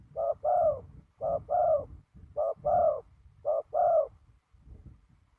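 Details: Spotted dove used as a decoy for trapping: four low, hoarse two-part coos, a short note then a longer rolling one, repeated about once a second, with a faint final note.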